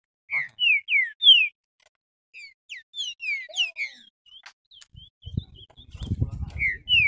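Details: Green-winged saltator in a cage, excited by a rival: a run of loud descending whistled slurs, then softer thin notes, later rustling and handling noise with a final pair of whistles.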